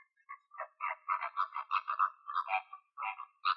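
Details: Wild flamingos somewhere in Greece give dense, overlapping honking chatter. Nasal, buzzy goose-like notes tumble over one another almost without gaps, rising into a busy flock gabble.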